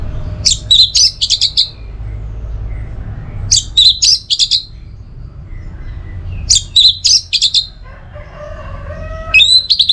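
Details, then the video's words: Orange-headed thrush, recorded to train and trigger teler song: three similar bursts of quick, shrill, stuttering notes about three seconds apart, and a faint lower warbling voice near the end. "Masteran sekaligus Pancingan Burung ANIS MERAH Agar Selalu Bisa Menikmati Telernya setiap saat"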